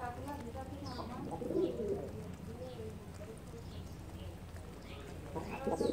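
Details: Kept pigeons cooing: a few low, rounded coos rise over a constant low hum, ending with a louder burst of cooing near the close amid faint chirps.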